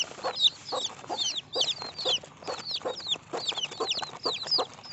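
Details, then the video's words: A group of baby chicks cheeping nonstop, each note a sharp, high whistle dropping in pitch, crowded into dense, uneven bursts over faint lower murmuring. "Cute Baby Chicken Sounds"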